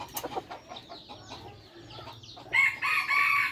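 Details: Red junglefowl of a third-generation (F3) bred line: a short, bright crow with a held, slightly wavering tone at the very end, after chirps and twitters from many small birds and a low steady hum.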